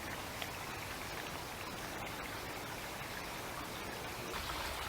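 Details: Steady hiss of rain or running water covers the whole stretch, with no animal calls standing out.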